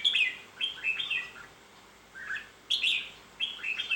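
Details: Red-whiskered bulbul song: loud, cheerful whistled phrases of three to four slurred notes, repeated in bursts roughly every one to two seconds.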